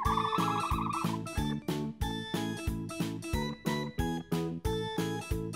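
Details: Plucked guitar music with a steady, bouncy beat of repeated chords and a short bright melodic run near the start; no animal voices.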